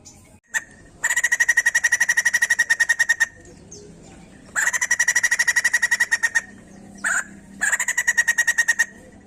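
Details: White-crested laughingthrush song played to stimulate other birds to sing: three bursts of rapid, evenly pulsed harsh notes, each lasting about two seconds with brief pauses between, plus a short isolated note.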